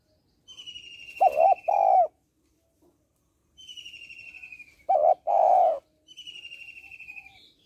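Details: Female spotted dove calling to stimulate males: low double coos repeated twice, each preceded by a long, high, quavering whistled tone, with a third whistle at the end.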